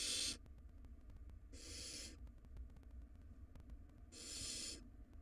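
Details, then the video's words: Barn owl nestlings, wild and nesting in a box, fighting over a very large rodent; three rasping hiss-screeches, the first cut short, the others lasting over half a second with gaps of about two seconds. "Barn Owl Nestlings Engage in Tug-of-War Over Very Large Rodent Prize"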